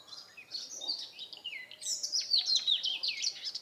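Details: Redstart song: a short phrase of high, thin whistled notes sliding downward, followed by a quicker jumble of twittering and scratchy notes that rise and fall. A faint lower note and light background noise can be heard.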